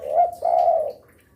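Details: Spotted dove kept as a lure for other doves, giving a single soft, drawn-out coo of two joined notes, the second longer and fading out.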